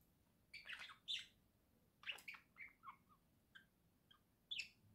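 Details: Domestic budgerigars, a pair at home in November 2024, give quiet clusters of raspy chirps and squeaky notes with brief gaps, over soft room noise.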